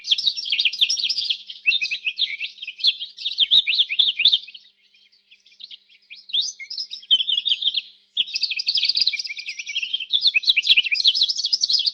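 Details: Canary in full song: loud, dense, high trills and rolling twitters in long phrases, one clear pause of about three seconds, then continued rapid chirping.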